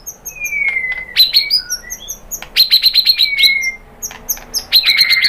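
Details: Shama song meant to draw replies from other shamas: a long downslurred whistle followed by bursts of high, rapidly repeated sharp notes, alternating with clear single whistles.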